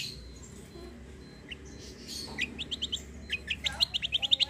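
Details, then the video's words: White-eye in fighter form singing 'kombo' style, tutor material: soft high notes rising into a fast, even series of short, bright chirps, about five per second, over a noisy background. "KECIAL KOMBO CUCAK KOMBO FIGHTER GACOOR"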